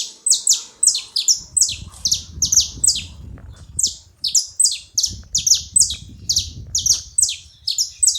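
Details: Several saffron finches noisily chirping together: continuous, overlapping, sharp descending notes in rapid succession throughout, over a soft low rumble.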